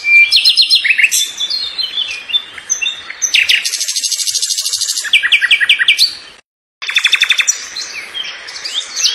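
Canary singing a fast, varied run of high chirps, trills and buzzy rattles, with rapid repeated notes and a brief pause midway.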